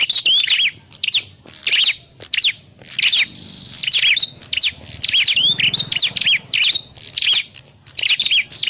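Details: Prinia calls used as a lure for bird trapping: dense bursts of sharp, high chirps and short down-slurred whistles, with clusters about every half second to second and brief pauses between.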